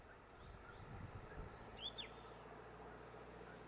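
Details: A European robin of the nominate subspecies Erithacus rubecula rubecula sings in Moya, Gran Canaria, in February 2020: a short burst of thin, high, sliding whistled notes that dip and rise, over a low background rumble.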